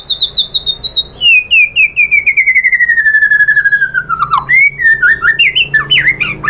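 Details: A white-rumped shama sings to provoke rivals into song: a high thin trill, then a long series of quick descending whistled notes, followed by looping rising and falling whistles.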